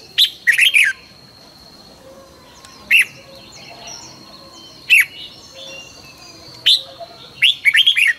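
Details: Morning singing of a red-whiskered bulbul, 2020 training recording: a quick warbled burst, then isolated sharp whistled notes every two seconds or so, ending in another lively tumbling phrase; faint chirps and a thin steady tone behind.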